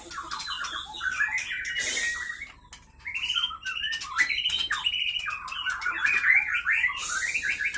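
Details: Fighting caged white-rumped shama of the Leuser Pining line, Aceh, Indonesia; long stretches of rapid, stuttering chattered notes and sharp whistles, with two short harsh hissing bursts and a brief quieter gap midway.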